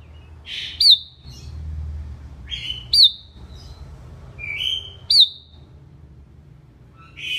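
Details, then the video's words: Sooty-headed bulbul singing a bubbly, whistled phrase that rises into a sharp, high flourish, repeated about every two seconds in a quiet setting. "Bulbul Singing, Sooty headed Bulbul Sounds Calling"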